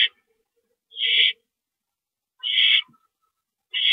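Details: During a rodent delivery on the evening of 28 March 2012 at 9:01 PM, an owl gives harsh hissing screeches, three spaced about 1.5 seconds apart, in near silence.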